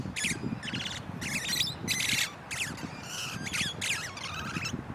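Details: A wild pair of musk lorikeets in a large pepper tree, chattering and singing: harsh, screechy bursts in quick succession, about eight sharp squawking notes over five seconds, with low rumbling background noise.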